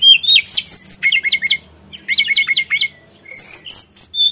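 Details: Brief Sulingan phrase of jumpy high whistles, twice breaking into fast zigzag notes, ending in high thin whistles.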